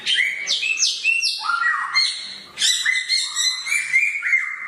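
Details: Sharp-voiced samyong bird singing bright, piercing falling whistles in two bursts split by a brief dip, notes layered with buzzy overtones.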